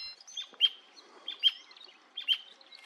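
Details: Brasilia tapaculo (Scytalopus novacapitalis), endangered, singing at Serra da Canastra, Brazil, 2021, in swampy gallery forest: sharp, high "ewk" chirps in a long monotonous repetition, one strong note about every 0.8 seconds with fainter notes between.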